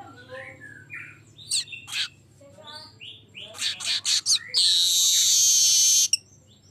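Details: Actively singing golden-headed weaver, a lure song: soft squeaky twitters and rising whistles, rapid chattering bursts, then a prolonged loud wheezing buzz with sweeping inner whistles that ends abruptly.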